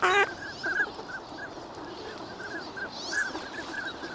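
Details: A harsh, loud, harmonic call opens, followed by a steady wash of short whistled notes from many wintering ducks at Nagahama, Lake Inawashiro, Japan, recorded on a clear winter morning.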